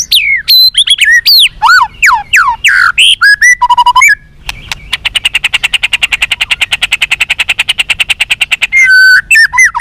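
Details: Captive-bird training song of a white-rumped shama, used to boost fighting spirit and responsiveness: loud varied whistled swoops and slurs, then a long buzzy trill of fast repeated notes, ending in more whistled phrases.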